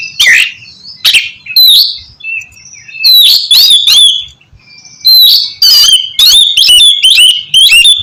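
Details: Kacer, the oriental magpie-robin, singing loudly as training material to prompt a reluctant caged bird; varied whistled and scratchy phrases, sharp rising slurs and long thin whistles, ending in a rapid string of chattering notes.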